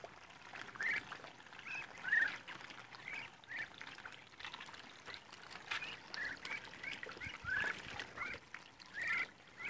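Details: Muscovy ducks, group on day 52, utter short rising whistled peeps spaced roughly a second or more apart, with a constant trickling background.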